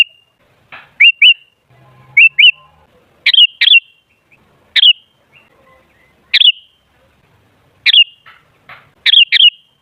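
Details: Sooty-headed bulbul, used as a lure to set other bulbuls singing loudly: bright, bubbly phrases of two or three quick rising whistled notes, repeated about once a second with brief gaps in a quiet setting.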